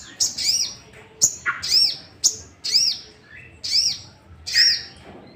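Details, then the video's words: Repeated high arched chirps of a sooty-headed bulbul, used to trigger singing in other bulbuls, about one per second, with a sharp click and a lower note mixed in. "Pancingan emosi burung sogok ontong"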